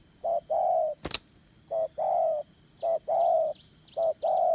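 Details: Spotted dove decoy with a 'Đồng Son' voice, kept for 'dán cổ' trapping, cooing in repeated couplets of a short note and a longer held note, a sharp click partway through, insects droning high in the background.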